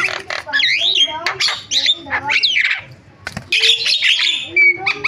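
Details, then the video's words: Varied singing from a Javan myna, rich in fill-in phrases: looping whistled notes mixed with harsh squawks and clicks, a brief pause, then a burst of raspy chatter ending on a clear whistle. "BURUNG JALAK KEBO SUARA VARIASI"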